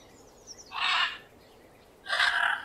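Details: Parrot giving two loud raspy squawks about a second apart, harsh and broadband, with faint high chirps before the first; recording presented in 8D audio.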